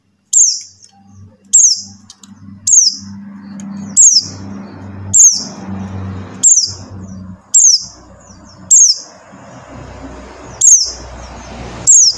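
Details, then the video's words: Buxtoni white-eye call used to coax silent white-eyes into singing: ten high, thin, quickly falling notes at roughly one-second intervals, over a persistent low droning hum and background noise. "suara CALL PLECI BUXTONI | untuk pancingan PLECI MACET BUNYI"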